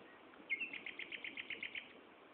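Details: Common nightingale song recorded at Gaasperzoom, 16 May 2012, mid-afternoon at 15:30. After a brief whistled lead-in comes a fast, even series of about ten clipped notes, delivered nearly ten per second, against light background hiss.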